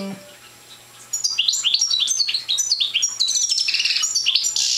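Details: After a second of near quiet, a young goldfinch of the parva subspecies, not yet in full song, breaks into a rapid jangling twitter that grows into a dense buzzy trill.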